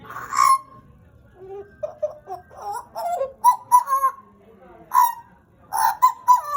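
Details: A caged Pied butcherbird sings: a loud opening whistle, soft low warbling, then a series of bright fluted notes in short repeated bursts.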